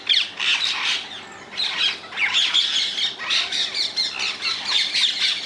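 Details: Rose-ringed parakeets in the wild, Netherlands: loud, harsh squawks in bursts that swell and fade about once a second, with shrill chattering in between.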